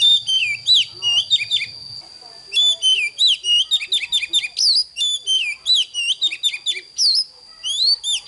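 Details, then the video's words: Oriental magpie-robin singing its morning song to coach young birds: bright, slurred whistles and rising and falling notes in quick repeated phrases, a low hum at the start, and a steady high whine underneath. "Chòe than HÓT SÁNG CỰC ĐÃ || Luyện Chòe than NON HÓT HAY"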